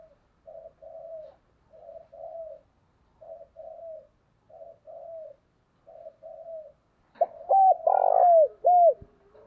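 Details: Early-morning spotted dove giving urging coos and lure calls: a run of soft paired coo notes every second or so, then a sudden loud, rich coo phrase with rising and falling notes close by.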